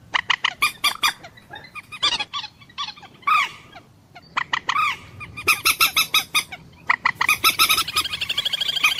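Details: Common moorhen, known locally as dunkor or jol murgi, giving loud honking, squawking calls in rapid irregular bursts, with chattering notes and harsh repeated clucks through the later seconds.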